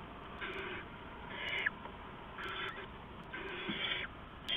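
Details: Owls at night, 4:31–4:40 AM, 15 November 2015, with an adult bringing rats to owlets; four drawn-out, breathy screeching hisses, each nearly half a second long, follow one another at roughly one-second intervals over a soft hum.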